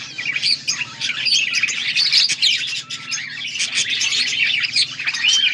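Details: Budgerigars chattering, recorded August 14, 2024: busy overlapping high warbles, squeaks and clicking notes with a few thin whistled slides, steady throughout over a faint low hum.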